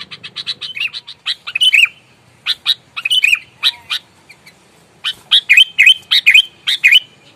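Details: Sooty-headed bulbul, an aggressive, combative caught bird, giving quick harsh chips in bursts, mixed with bright downward-slurred whistles, separated by short pauses, in an otherwise quiet setting.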